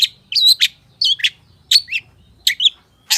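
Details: Energetic long-tailed shrike singing in full-isian style with mimicked phrases: paired high chirps and twittering figures, each group about half a second long and repeated roughly every three-quarters of a second.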